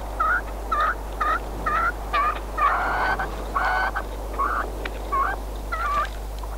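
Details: Red-legged partridge, a friend's decoy bird used for hunting, calling in a series of harsh, chuckling notes about once per second, with a few longer grating bursts in the middle of the sequence.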